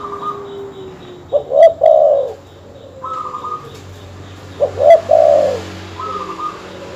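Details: Dove calling, recorded to agitate rival birds: two phrases of deep, rounded double coos about three seconds apart, separated by steady, higher, faint tones.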